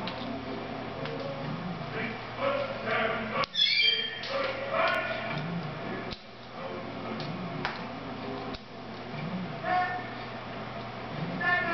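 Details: A pet severe macaw (Ara severus) named Mabel gives short, shrill, rising squawks and chattering notes in scattered bursts, while voices murmur in the room.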